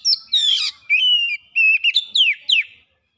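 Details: Oriental magpie-robin singing a fast string of whistled notes, a harsh rasping burst near the start, then sliding level whistles and falling slurs in quick succession.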